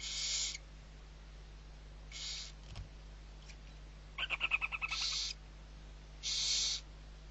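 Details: Barn owl owlets at Riet Vell, Ebro Delta, Spain: several harsh hissing screeches, a quick ticking stutter midway, and a soft knock, as the brood of six is fed in November.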